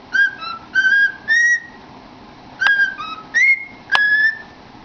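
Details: Cockatiel singing and chattering into a cardboard tube at home; two sets of clear whistled notes, level or gently rising, separated by a short pause, with a couple of sharp taps.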